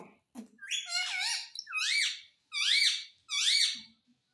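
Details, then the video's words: Parrot that says mummy and papa gives four harsh, rising-falling squawky phrases about once a second, after a short thump. "मम्मी पापा बोलने वाला तोता _ Mummy ka Pyaara Mitthu _ Parrot Talking Video"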